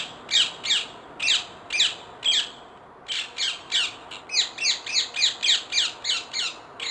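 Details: Wild rose-ringed parakeets calling in a rapid series of loud, grating squawks, about two per second, briefly pausing then resuming faster and more densely toward the end.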